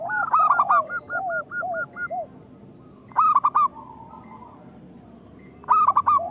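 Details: Singing local zebra dove, played to lure lazy zebra doves into song: low arched coos under a short row of even higher notes, then loud four-note stuttered bursts spaced about two and a half seconds apart.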